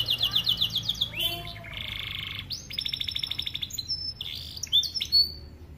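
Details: Canary of the starblue colour variety singing for young canaries to learn: rapid high chirps, then buzzy rasping phrases and scattered short whistled notes of varied pitch.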